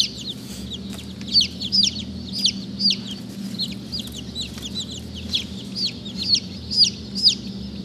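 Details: Black Langshan baby chicks peeping: high, thin, downward-slurred cheeps repeated rapidly and irregularly, about two per second, over a low steady hum.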